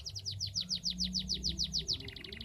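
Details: Actively singing canary, recorded to get silent canaries singing: a rhythmic run of high, downward-slurred whistles, about six each second, crisp over faint low hum.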